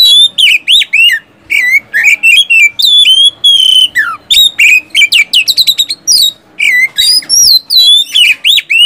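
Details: Oriental magpie-robin in full song, used to lure silent caged birds into singing: loud varied whistled phrases, slurred rising and falling notes with rapid buzzy trills, delivered almost continuously in quick bursts with brief pauses.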